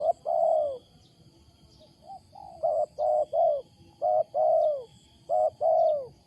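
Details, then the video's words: Wild spotted dove with a loud, unusual coo: paired phrases, each a short rising note followed by a longer, low, descending coo, repeated about every one and a half seconds. Faint high ticks sound in the background. "BURUNG LIAR SUARA BESAR || MENGUKU NYA ANEH"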